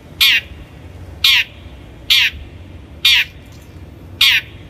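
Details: Long-tailed shrike (cendet), a lure recording for training birds: five loud harsh rasping squawks, each a short nasal burst, repeated about once a second against a quiet background.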